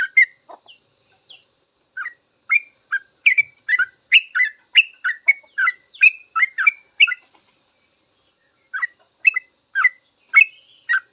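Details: Sooty-headed bulbul full song with long rambling phrases, used as a master recording to teach cage birds: short bubbly notes around the mid range in quick runs, a pause near eight seconds, then more phrases; otherwise quiet background.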